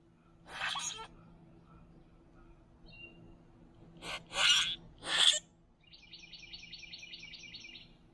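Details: Boat-tailed grackles, three of them, calling to each other while feeding at a backyard feeder: three harsh, noisy bursts spread over several seconds, then a rapid buzzy rattle of quick, evenly spaced pulses near the end. Quiet background between calls.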